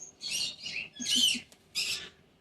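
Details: Pet cockatoo chatting indoors with its owner: three harsh, broad screechy bursts, each about half a second long, with a low hum underneath.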